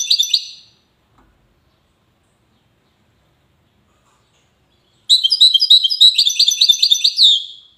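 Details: Song of a European goldfinch from Safi, Morocco: the end of one phrase, a long silence, then a fresh two-second run of rapid, bright twittering chirps.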